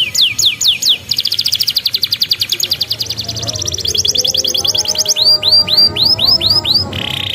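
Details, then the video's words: Canary song used to train young canaries: sweeping downslurred whistles, a long rapid pulsed trill, then looping high notes and a short buzzy ending, over a faint background murmur. "MASTERAN KENARI PAUD"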